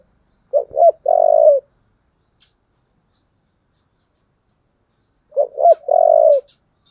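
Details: Spotted dove's thổ-voiced fighting call: two phrases about five seconds apart, each two quick coos and a long steady coo, with a brief click and faint high ticks elsewhere.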